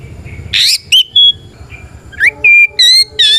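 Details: Fighting song of a white-rumped shama meant to trigger silent or young birds to answer; a few harsh burst notes and clear whistles, a pause, then steady pure whistled notes repeated rapidly, with faint low background rumble.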